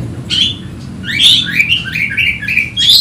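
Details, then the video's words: Agitated Oriental magpie-robin seeking a rival: one whistle, then a quick string of short slurred notes repeated about every quarter second, ending in a high sharp phrase. "Kacer ngotot emosi mencari lawan"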